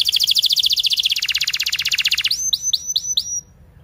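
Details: Canary song for teaching young canaries: a fast dense trill dropping in pitch halfway, then five rising upswept whistles.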